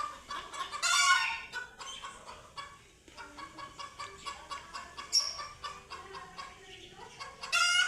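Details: Chickens screaming loudly and flapping in panic after seeing cats for the first time; harsh, noisy squawks with strong bursts near the start and end, and dense rapid clucking between.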